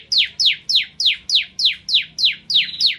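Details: Bar-winged prinia in full song for tutoring caged birds: ten loud, evenly spaced chirps, each sweeping sharply downward, repeated about three times a second.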